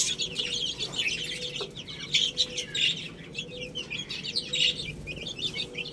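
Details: A group of chicks pecking at rice: overlapping shrill, bright peeps rise and fall in loose flurries, with soft tapping underneath and a faint low hum.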